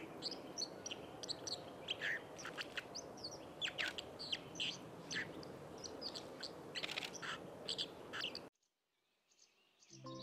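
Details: A White-throated dipper on the Lieser river in Wittlich, Germany, in 2019, sings a scratchy song of sharp chirps and short high trills over steady rushing water, ending abruptly in near silence.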